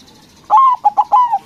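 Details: Loud lure song of a white local zebra dove meant to make rival doves respond: one phrase of a drawn-out level coo, three short staccato coos, and a final long coo that slurs slightly downward.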